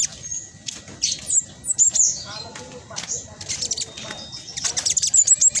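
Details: Black sunbird, speckled, singing constantly with a fast, dense chattering song used as a lure to stimulate other birds to sing; rapid high thin twittering notes and sharp squeaky trills in bursts throughout.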